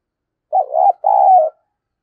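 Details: Decoy spotted dove cooing to excite other doves: a clipped opening note running into a swelling coo, pause, then a long level hoarse coo, low-pitched and clear against silence.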